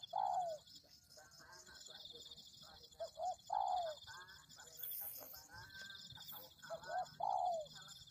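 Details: Spotted dove calling for a bird lure: a long descending coo, then short double notes and another falling coo, with faint chattering sounds and a steady high whine in the background.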